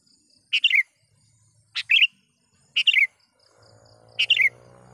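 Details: Calling sooty-headed bulbul, used to draw in wild rivals, repeats brisk chattering phrases roughly every second, each a clipped note followed by a rolling downward warble; a low engine-like hum rises near the end.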